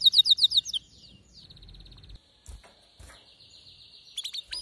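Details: Excited male canary song: a loud burst of rapid high chirps, then a faint, thin, steady trill that runs on softly with a few clicks, before louder sharp notes return at the end.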